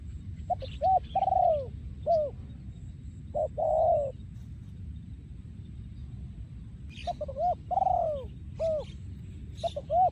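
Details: Breeding male spotted dove singing in the โยนคูอ่าง style, 2023: short bursts of clipped notes and falling coos separated by a quiet pause of about three seconds, with scattered high chirps of other birds and a low steady rumble.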